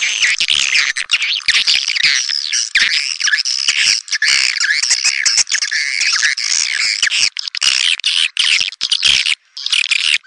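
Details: Swiftlets' attraction call: steady, crowded chittering of many rapid, buzzy chirps and trills running almost nonstop, with a brief pause just before the end.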